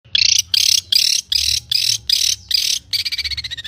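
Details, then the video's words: Long-tailed shrike singing constantly with rich mimicked fill-ins (isian): six harsh, buzzy, high bursts about half a second each with short gaps, then a fast, slightly falling rattling trill. Low hum underneath. "burung cendet gacor isian mewah"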